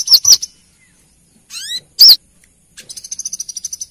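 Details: Lure recording of a female brown-throated sunbird calling to a male: two loud high chirps, a rising thin sweep, another piercing chirp, then a rapid buzzy series of high ticking notes.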